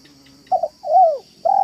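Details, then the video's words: Spotted dove in a yard, manggung and meratus style coo used as a lure for doves: two short soft notes, then a longer rolling coo that falls at the end, and a final drawn-out coo begins. A faint steady high whine runs behind. "BALAM AJARAN MANGGUNG DAN MERATUS DI LAMAN ⭐ MEMIKAT BALAM"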